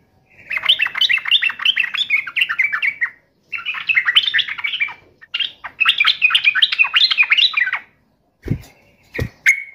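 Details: Yellow-vented bulbul singing to mock a rival and provoke an answer, three busy bursts of rapid liquid warbling, then two sharp clicks and a short note at the end.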